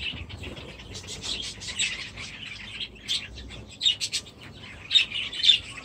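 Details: Budgerigars housed in aviaries with fresh chicks, recorded 23/7/17: bursts of squeaky, high chirps and short warbles come in uneven clumps, separated by quieter gaps of soft twittering.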